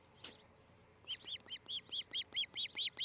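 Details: Nesting osprey at Charlo, Montana, recorded by nest camera on 13 July 2018 in the morning: one sharp click, then a rhythmic run of shrill, slightly downslurred whistled cheeps, about three per second.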